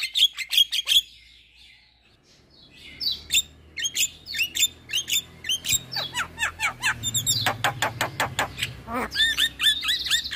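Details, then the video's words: Javan myna song meant to prompt mute or moulting caged mynas: a burst of sharp clicks, a quiet gap, then a steady run of squeaky, scratchy whistled notes, faint low hum beneath. "Pancingan Jalak MAcet Bunyi / Jalak Stres / Jalak Mabung / Jalak Bisu"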